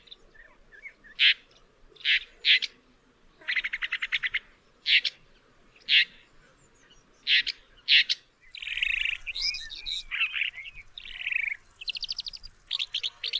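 Woodchat shrike giving short bursts of rapid chattering and scratchy notes, followed by a more varied, warbling jumble of squeaky phrases.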